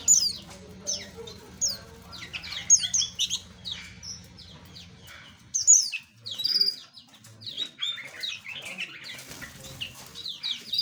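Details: Small birds of mixed kinds in an aviary chirp and tweet continuously, with many short, high, downslurred notes overlapping in a busy chorus, a faint low hum running underneath.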